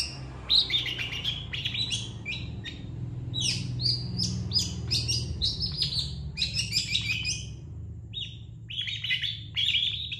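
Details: Long-tailed shrike singing vigorously in a master recording for training other birds: dense bursts of varied chirps and short whistles, mostly high and clustered, over a steady low hum.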